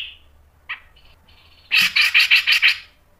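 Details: Grey-cheeked bulbul singing for a lure recording, styles mbeset, ngepik and nembak: a few thin scattered notes, then a loud series of six emphatic, harsh, bubbly notes about three per second.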